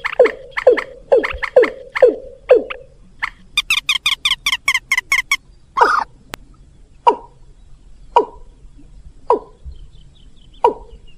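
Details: Rail and watercock lure sound to attract birds: a fast run of falling notes, a rattling burst of rapid bright notes, then spaced single descending calls about once a second.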